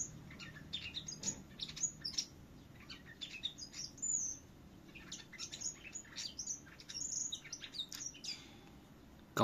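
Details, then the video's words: Finch in Vietnam heard singing out back in a contest manner: long, energetic runs of high, sharp twittering notes and quick whistled slurs, repeated in bursts. A few short gaps between runs, with a faint low hum. "Tiếng thanh tước hót đấu"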